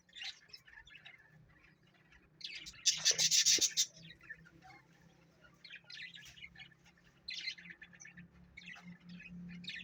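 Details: A pet parrot makes scattered soft chirps, then a loud rasping squawk of about a second. Faint chattering notes follow, with a low steady hum underneath.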